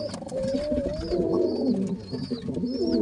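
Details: Baby pigeons being fed by their father, two chicks at the same time; high thin rising-falling squeaks repeat about every half second while low, throaty warbles run underneath.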